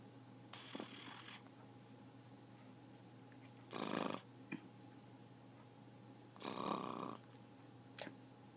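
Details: A talking pet macaw growls in three rough, breathy bursts, each under a second and roughly two to three seconds apart, followed by a short click-like sound; little else heard.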